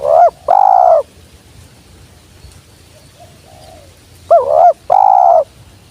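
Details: Spotted dove repeating its phrase twice: a short trembling coo leading into a longer smooth note, with a quiet stretch and faint soft murmurs between the phrases.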